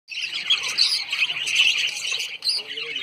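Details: Lovebirds, small social parrots, at Sayaji Baug garden in Vadodara, Gujarat, India: a dense, continuous chatter of high, squeaky chirps and squawks from several birds, with brief pauses near the end.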